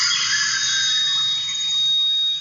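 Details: Glossy-mantled Manucode song: a single sustained, very high, steady tone like electronic feedback or squeaky truck brakes, held unbroken for over two seconds.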